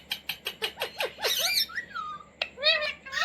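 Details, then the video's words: Indian Ringneck parrot taught to talk, kept as a pet and saying words like "roti roti": a series of six quick, evenly spaced upward chirps, then a harsh squawk, a falling whistle and a short wavering phrase. "Parrot Talking | मम्मी | मिट्टू | रोटी रोटी | तोते को बोलना सिखाये | Talking Parrot"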